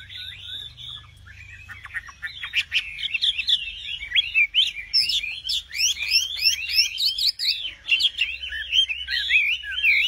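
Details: Nightingale in full song: after a quiet start, a dense, rapid jumble of chirps, clicks and twisted whistles builds into a busy, varied outpouring with a low hum behind.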